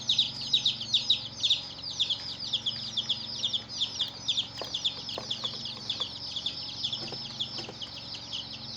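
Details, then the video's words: Domestic chicks with a hen, chirping together: a continuous, overlapping chorus of high, shrill peeping notes, several per second, with a low steady hum underneath. "Hen Murgi Baby "Chicks Chirping" Sound"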